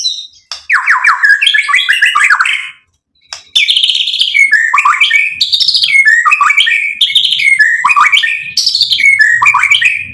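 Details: Lively white-rumped shama song meant to provoke a rival into singing: varied rich whistled phrases jumping up and down in pitch, with sharp clicks and a brief pause near the start.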